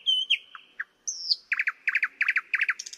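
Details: Thrush nightingale song: a pure whistled note and short dropping notes, then a high slurred whistle, followed by fast repeated rattling clicks in tight groups of three, ending in a higher buzzy phrase. The background is quiet.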